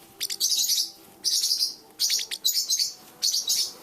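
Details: Three young blue parrotlets, just over a month old, fledging and taking their first short flights indoors at home, give high, scratchy chirps in four quick bursts of rapid twittering, separated by short pauses.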